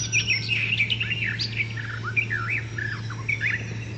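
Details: Song of a wild icterine warbler: a medley of rising and falling whistled slurs, short chirps and a few harsher notes, each phrase different from the last, over a constant low hum.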